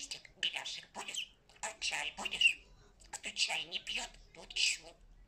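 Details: A pet talking parrot says "good boy" in Russian, chattering in bursts of raspy, speech-like syllables with bright, high tones and brief pauses between phrases.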